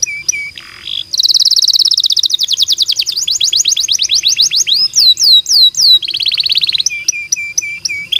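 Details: Canary song used to prompt other canaries to sing: steady low whistles, a long fast trill of rising sweeps, looping whistled swoops, then a buzzy rolling phrase and repeated pure notes.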